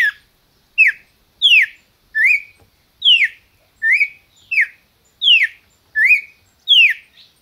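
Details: Captive red-crested cardinal in Brazil singing: loud, clear whistled phrases alternating between falling and rising slurs, about ten notes at a steady pace of more than one per second, in a quiet room.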